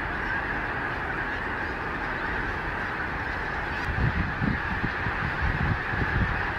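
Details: A massive wild flock of Snow Geese in flight over Gordon's Pond, Delaware, on an overcast late-December day after apparently being startled. Their calls blend into a thick, steady chorus, with wind thumps increasing toward the end.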